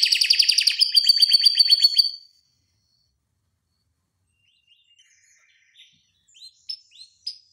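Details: Canary song used as a tutor recording, long rolling (ngeroll) style: a fast dense trill of repeated notes for two seconds, then silence and a few scattered high chirps.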